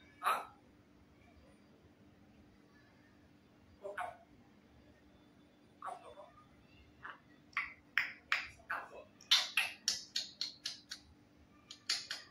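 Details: Grey parrot (Psittacus erithacus) talks in Hindi: a few scattered word-like syllables, then a quick run of short, sharp, clicky utterances over a faint steady hum.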